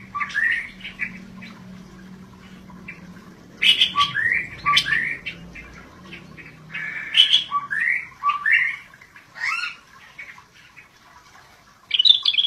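Scaly-breasted bulbul singing bursts of bright, chattering, squeaky notes with quick rising whistles, phrases every few seconds, over a faint low hum.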